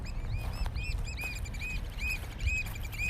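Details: Oystercatchers displaying in courtship at Stratford Point Sanctuary in May 2021, heard at a distance: steady series of high, downslurred piping notes, several per second, from more than one bird, over a soft low background hum.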